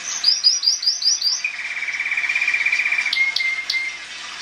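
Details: Timbrado canary song opening with a fast series of high chipped notes, then settling into a low, steady metallic rolling trill, ending with a few scattered high clicks.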